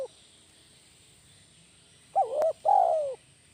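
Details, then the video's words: Lure spotted dove delivering a 'kuk 1' call after a quiet stretch: a quick rising-falling coo, then a longer mellow note gliding downward. A sharp click breaks in midway. "suara burung tekukur masteran kuk 1 GACOR"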